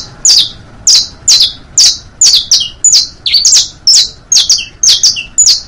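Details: Saffron finch singing for young birds to learn, from a set of bastos, pintos and finos styles: loud, clean, evenly spaced high chirps, each a quick falling slur, about two per second, in a quiet room.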